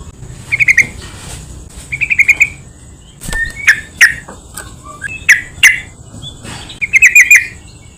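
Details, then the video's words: Yellow-vented bulbul song used as a lure to provoke other bulbuls into singing: short bubbly, warbled phrases around mid pitch, given in bursts of several quick notes separated by brief pauses, with a steady faint high hiss behind. "PANCINGAN BURUNG TRUCUKAN , SEMUA TRUCUK PASTI IKUT BUNYI"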